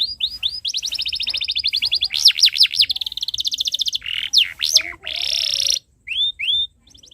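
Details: Canary tutor song for young birds learning to sing: long chirping with rapid buzzy trills, rising and falling whistled sweeps, a dense rattling burst near the end, then two short upslurred notes.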